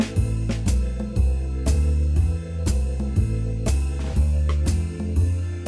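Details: Drum-driven music with a steady beat of about two hits per second, and no animal voices.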